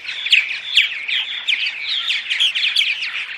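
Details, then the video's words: Purple martins in morning vocalizations meant to attract martins: bubbling chirps and short clear whistled notes overlapping in a lively chatter, a few sharper chips standing out above the steady flow. "Morning Vocalizations CD (6 hour loop) - Attract Purple Martins"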